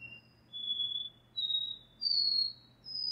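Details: Classic repeating song of a double-collared seedeater, the 'dó ré mi' style: clean whistled notes about two thirds of a second apart, climbing in pitch one after another, with a faint constant hum in the background.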